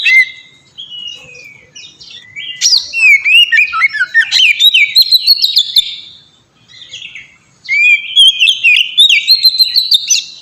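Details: Ngeplong singing by an oriental magpie-robin, used to coax birds into singing: quiet opening notes, then an energetic burst of swooping whistles, a soft pause, and another lively whistled sequence.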